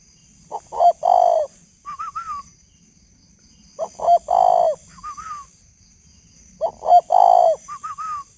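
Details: Caged male spotted dove at a northern Vietnam bird farm in Ba Vì, Hanoi, calling at 11 p.m. alongside a decoy bird: three rough cooing phrases about three seconds apart, each followed by brief higher wavering notes.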